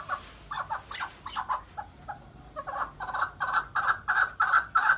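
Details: Mountain partridge, or chukar, opens with a few hesitant chuks, then settles into a swelling, regular chuk-chuk-chuk run of mid-pitched, slightly rasping notes, about three per second.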